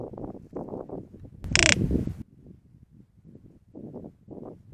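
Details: Greater roadrunner on a desert trail camera near Tucson, Arizona, producing a bill rattle: rapid, dry, low clacking pulses in uneven bursts, with a loud broad rushing burst partway through.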